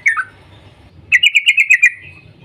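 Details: Yellow-vented bulbul calling in the morning: one falling note, a pause, then a quick run of seven bright, bubbly chirps in under a second, over a faint low rumble.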